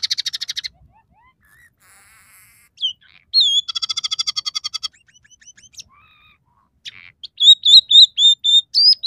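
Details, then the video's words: Scaly-breasted munia in a song with three variations, mixing in house sparrow, red siskin and canary phrases: rapid buzzy rattles, a high metallic trill, soft scattered notes, then a string of sliding whistles repeated about twice per second. "suara burung emprit peking gacor dengan tiga variasi lagu"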